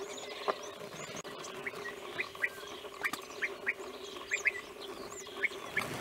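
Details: Wild European bee-eaters recorded in Romania in 2016 give brief burry, trilled notes, some doubled, every half second or so, against a constant murmur of distant calling animals.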